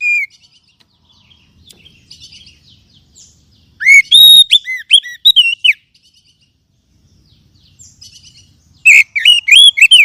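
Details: Oriental magpie-robin song used to coax stalled caged birds into singing: a single note, then a loud, looping whistled phrase, soft twittering in between, and a final ringing burst.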